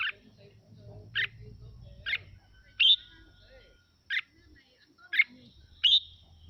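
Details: Untrained red-whiskered bulbul song played to excite other birds to sing: seven quick, clipped, sharp phrases spaced roughly a second apart, with a faint thin whistle running beneath and a low hum in the background.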